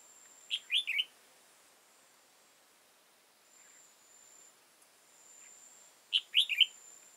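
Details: {'text': 'Red-whiskered bulbul, an old wild bird with a tall crest and dark bib, recorded during trapping on 15 October 2018; two quick warbled phrases of three or four bright notes, about six seconds apart, over a faint steady high whine.'}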